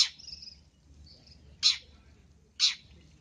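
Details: Long-tailed shrike call for luring: a few loud, harsh rasping bursts about one second apart, with faint high thin whistles between them.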